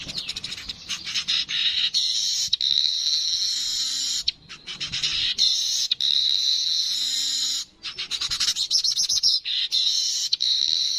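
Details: Streaked weaver, original recording: long sizzling, hissing buzz runs broken by short dry chattering ticks, the wheezy phrase starting again three times in quick succession.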